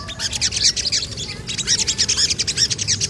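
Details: Crested jay chattering energetically after a strange sound is played, with two bursts of rapid, high, rattling chirps separated by a short pause and a low background hum.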